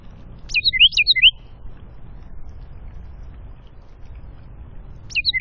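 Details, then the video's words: In the Appalachian foothills of North Georgia, near feeders, woods and a creek, a wren sings one rapid phrase of repeated ringing down-slurred whistles in the afternoon, then falls silent before the song begins again at the end, with faint low background hum. "Singing Wren - Good afternoon little morning singing friend"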